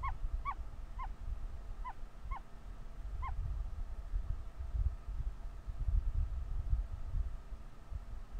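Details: Ostrich chick calling from inside the egg while hatching, very vocal; short rising-falling peeps repeated in irregular bursts over low rumbling background noise.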